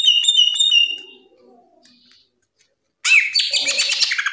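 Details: Masteran song from a top national greater green leafbird: a run of quick repeated whistled notes, a quiet gap, then a loud burst of harsh, dense chattering and twittering.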